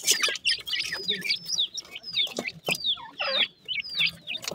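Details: Feeding francolin chicks give loud, high, falling whistled peeps about every half second, overlapping one another. Sharp clicking and scratching noises are mixed in.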